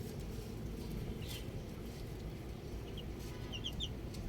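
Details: Baby chicks outside, a brief high chirp near the start, then a quick cluster of three or four sharp chirps toward the end, against constant low-pitched rumbling background noise.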